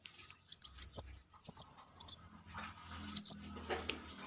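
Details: Brown-throated sunbird in full voice outside its cage, a tutor bird for song training: a quick run of high rising whistles and clipped doubled notes, then one more upslur amid faint low background noise.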